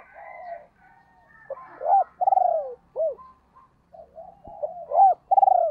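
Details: Calls of a female spotted dove used as a decoy to excite wild doves: a soft hum, then a sharp hooked note, a long vibrating coo and a dropping note, the pattern starting again near the end.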